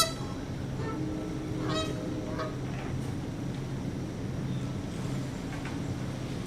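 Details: Two Canada geese on September 24, 2015 at 9:15 am: a male gives a few brief, nasal honks, spaced irregularly, communicating with the female as he prods her, over a steady low rumble like distant traffic.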